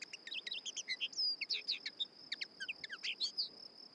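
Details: Fast, jumbled twitter of a Common Linnet: dense chirps, little trills and twangy whistled notes tumbling together in a continuous stream, with a thin steady insect hum in the background.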